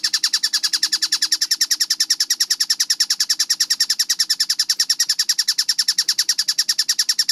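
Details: Kingfisher (tengkek buto) in a clear, fast-paced masteran training recording, singing vigorously: an unbroken series of sharp, evenly spaced chattering notes, about eight per second, steady throughout, over a faint low hum.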